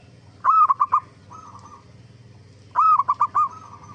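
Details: Lure song of a zebra dove meant to make others of its kind reply: two loud, bursting cooing phrases of rapid clipped notes, each trailing into a softer purring tail, separated by a pause of about two seconds, low hum beneath.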